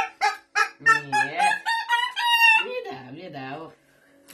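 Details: A Hyacinth macaw playing with a child and going wild, barking like a dog, gives a few sharp barking yelps, then a long, wavering, harsh rising-and-falling cry, with faint music behind.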